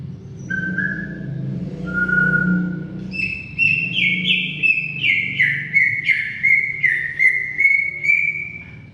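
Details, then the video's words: Greater green leafbird giving a long song: two steady whistled notes, then a fast, even run of bright descending and level whistles, repeated about twice a second, over a low background hum. "Suara Kicau CUCAK IJO Gacor Panjang"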